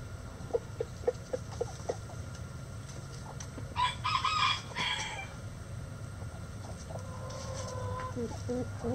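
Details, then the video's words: Quiet, spaced clucking and pecking notes come first. A short, rough crow of about a second follows, then softer, drawn-out chicken calls and clucks over a low background hum. "Chicken Sounds Egg Song | Rooster Crowing"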